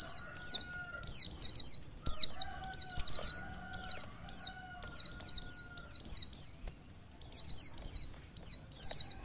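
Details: A female white-eye calls to excite a male into song, giving rapid runs of shrill, descending chips in short groups with brief gaps and a low constant hum beneath.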